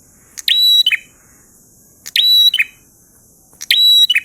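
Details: Prinia singing in the lively 'ngalun' style: three loud, buzzy phrases about every 1.6 seconds. Each opens with a harsh burst, holds a steady high whistle, then ends in a lower rasping note. Quiet gaps lie between phrases.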